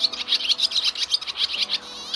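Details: Swallow calling recording used to lure swallows back to a roosting site: a dense, rapid twittering of high, bright chirps, several each second, running continuously with no other sounds.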